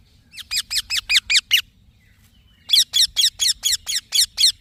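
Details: Green baby parrot chirping in two runs of rasping, high notes, about seven in the first and nine in the second, separated by a pause of about one second.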